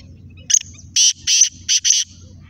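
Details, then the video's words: Kala teetar, the black francolin, gives a grating, rasping call. After a brief opening note come four thick, buzzy bursts in two pairs, all within about two seconds. A soft low rumble sits in the background. "Kala Teetar 10 ki speed کالا تیتر 10 کی اسپیڈ"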